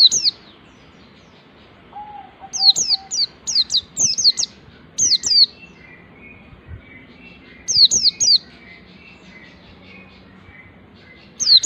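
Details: Ngalas-style white-eye song with nembak practice: quick runs of piercing, downward-sweeping chirps in groups of two to five, separated by pauses, over faint soft twittering and low background hum.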